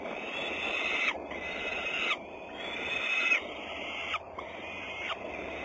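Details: Peregrine falcons at Włocławek, Poland, on a Sunday afternoon, 6 June 2010: harsh, drawn-out wailing calls of about one second each, repeated five times in close succession over steady background hiss.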